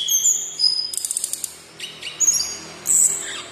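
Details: Sumatran laughingthrush of local origin in lively song: a high whistle and sliding note, a rapid rattle of about eight clicks, then further sharp whistles.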